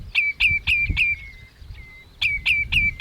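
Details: Common redshank (Tringa totanus) calling at Ochsenmoor, Hüde, on 27 May 2018 at 07:10: sharp, piping notes, each sliding down, about four a second in two quick bursts with a brief pause between.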